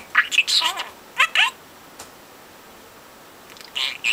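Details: Four-month-old male pet budgie that mimics household conversations gives two brief bursts of squeaky, speech-like chatter, falls quiet for about two seconds, then ends with a couple of sharp chirps.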